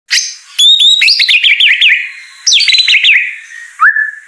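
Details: Champion competition white-rumped shama singing non-stop in a frenzied manner: loud, rich, varied whistled phrases with rapid zigzagging notes, sliding high whistles and brief pauses, ending on a rising then level whistle.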